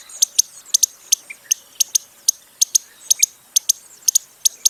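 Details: Costa's hummingbird uttering crisp, very high tick notes, mostly in pairs with short gaps, plus a couple of softer lower chirps.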